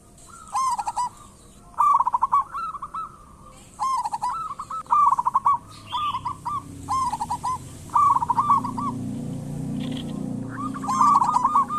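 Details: Singing local zebra dove used as a lure: about twelve seconds of rhythmic phrases, each a quick trill of soft cooing notes, repeated every one to two seconds against a quiet background.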